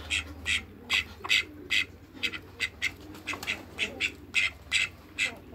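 Call ducks give short, nasal, high-pitched quacks in quick bursts, roughly two or three a second, with faint voices in the background.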